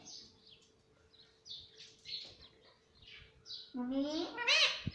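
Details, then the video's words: Pet Indian ringneck parrot kept indoors and said to talk, saying "mummy" and "papa": a run of short high chirps, then a loud harmonic, voice-like call that bends upward near the end. "bolta parrot || cute Indian ringneck parrot"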